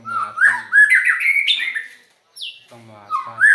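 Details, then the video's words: White-rumped shama with an unusual voice: rapid run of rising and falling whistles over about two seconds, a short high buzzy note after a gap, then more whistles; faint low humming underneath. "Burung Murai Batu..Dengan Suara Aneh.."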